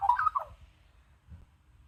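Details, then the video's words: Australian magpie giving a brief, rich warble of gurgling, wavering notes lasting about half a second, then quiet over a low hum; wild magpies, a female and a male, being hand-fed white curl grubs in a garden. "More magpie warbling"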